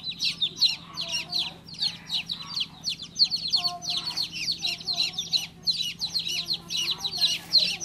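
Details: Insistent high peeps of a baby chick, bunched in quick runs with short gaps, plus a steady low background hum.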